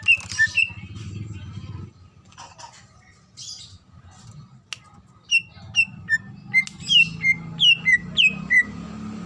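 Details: Female greater green leafbird calling to the male, used to lure other leafbirds into singing. After a murmur of low background noise, clear downslurred whistles repeat about every half second, growing steadier and louder toward the end.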